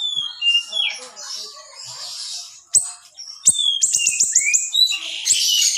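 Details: Small, highly vocal siri-siri recorded as training song for other birds: a high sliding whistle, a scratchy jumble, then a quick run of sharp repeated chirps ending in a bright buzzy flourish.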